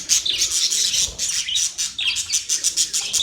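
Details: Rapid budgerigar chirping, a quick run of high, raspy notes pulsing several times per second with almost no gaps.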